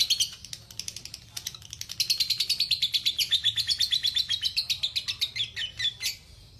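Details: Lovebird ngekek, a long chattering trill for masteran: scattered sharp notes open, then a quick run of high pulses, about four a second, slides gently downward before ending in a few separate chirps.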